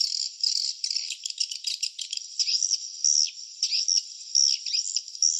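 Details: Swiftlets at the nest give high, buzzy twittering chirps with short downward-sweeping notes, delivered in quick irregular bursts and rattling trills with brief gaps between them.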